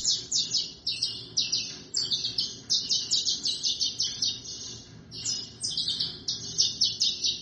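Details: Saffron Finch (canário-da-terra) of Brazil singing a fast, continuous run of high, sharp chirped notes, about three to four per second, with no other clear sounds.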